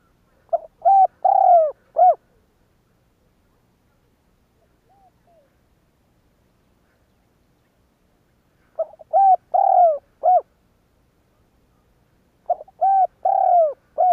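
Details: Spotted dove (cu gáy) kept as a lure, its calls used to provoke other doves to coo: three phrases of a quick note plus several mellow coos, spaced by long silences, with a faint distant coo between.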